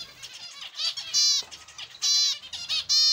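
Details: Zebra finches in an aviary give loud, nasal, buzzy notes with harmonic stripes, repeated roughly once a second between softer twittering chatter.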